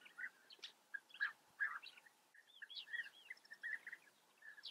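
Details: European bee-eaters at a colony in the Eifel, Germany, uttering burry trilled calls in loose sequences, some upslurred higher notes, several birds overlapping at moderate distance.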